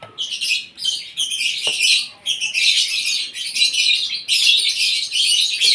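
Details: Asian pied starling at its morning feed, kept so it sings keenly; near-continuous loud, rasping, buzzy chatter in dense bursts, with only brief dips between phrases and one sharp click midway.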